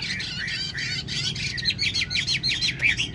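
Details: Tame hwamei in a carried cage gives a fast, harsh chattering series of buzzy notes, densely repeated, with a brief clear whistle near the end.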